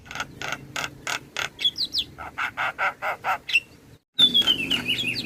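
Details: Javan myna song meant to draw responses from other starlings: a fast series of dry rasping pulses, about three per second, broken by thin rising whistles, a brief silence, then squeaky whistled notes.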